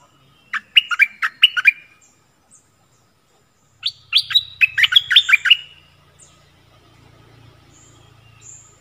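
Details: Wild stripe-throated bulbuls counter a caged bird on 1 April 2021; they approach but do not land, likely with chicks nearby. Two energetic phrases of rapid whistled notes, the second longer, followed by a low steady rumble.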